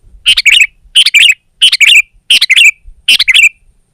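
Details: Sooty-headed bulbul in rival-challenging song, repeating a short bubbly, liquid phrase five times, roughly one every 0.7 seconds, with quiet gaps in between.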